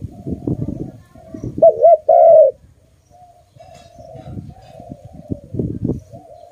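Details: A single loud phrase from a pet dove, a quick double note then a falling coo, surrounded by low rumbling and rustling noise.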